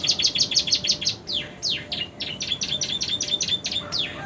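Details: Canary of the romeo type in new plumage, song filled with prenjak and ciblek imitations: fast bright chirping bursts followed by sweeping downslurred whistles and rapid repeated high notes.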